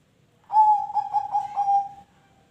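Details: Zebra dove song, used as a lure to make other birds sing: one clear phrase of about five rhythmic, stuttered coo notes on a steady mid pitch, lasting under two seconds in quiet surroundings.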